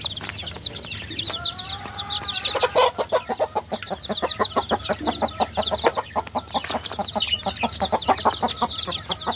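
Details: High cheeping from many baby chickens continues throughout, with a couple of longer tonal notes near the start. Later a fast run of loud, regular tapping or pecking clicks joins in.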